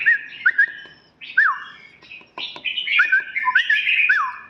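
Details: Red-whiskered bulbul song: clear, looping, slurred whistles that rise then fall, mixed with sharp clicks and a fast warbled run near the end.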